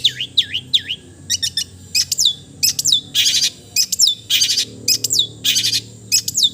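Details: Long-tailed shrike (cendet) song opening with three looping whistled notes, then crisp descending slurs alternating with harsh raspy bursts, repeated at a quick, irregular pace.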